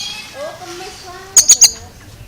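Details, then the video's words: Oriental magpie-robin with an odd sound: soft, wavering whistled phrases at first, then three loud, sharp, grating notes in fast succession. "Suara ANEH Kacer ini Bikin HERAN"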